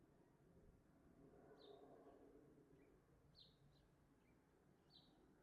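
A house sparrow gives a few short, bright chirps spaced a second or two apart, half buried in a steady low rumble of background noise.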